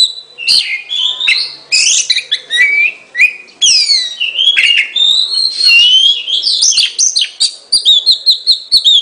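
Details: Oriental magpie-robin singing a rich, continuous run of whistled slurs, rapid chirps and descending sweeps, speeding into a quick string of short repeated notes at the close.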